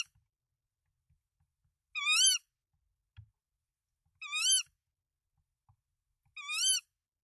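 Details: Nest-camera tawny owl in Denmark, 24 March 2024, as the male brings rodents to the female with three eggs: three bright, harmonic, undulating calls about two seconds apart, with a single soft thump between them.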